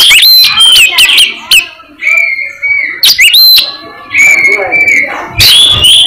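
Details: Energetic song of an albino Oriental magpie-robin: bursts of sharp up-and-down whistled sweeps alternating with long, steady, pure held whistles, some gently wavering, with short pauses between phrases.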